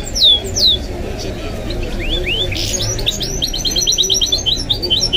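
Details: Kept goldfinch mule singing: two sharp descending whistles, then rising slurred notes leading into a quick, steady series of high, repeated twittering chips, with low hum underneath.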